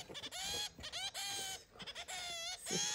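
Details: A pet zebra finch (Taeniopygia guttata), six months after being brought home, gives nasal, toy-trumpet calls with a bright buzzy edge, repeated about every half second, over a faint high electrical whine.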